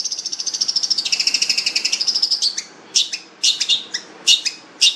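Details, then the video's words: Long-tailed shrike, called fierce with a rich voice, opening with a steady, rapid high trill for over two seconds, then breaking into separate harsh, scratchy notes spaced irregularly. "cendet jahat suara mewah"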